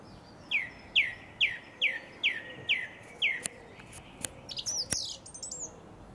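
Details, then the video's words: Song thrush singing in a garden in April 2021: a sharp descending note repeated seven times in quick succession, then a burst of varied high whistles and clicks. "A most beautiful Song Thrush - April 2021"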